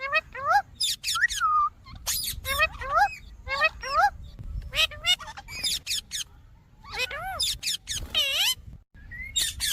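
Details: Indian ringneck parakeet calling steadily, about once a second: rasping screeches mixed with arched, rising-and-falling whistled squawks, with brief pauses between bursts.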